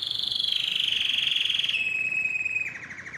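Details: Canary song used to stimulate singing and mating in pet canaries: a loud rapid trill of repeated notes sliding gradually lower, ending in a softer buzzy rattle.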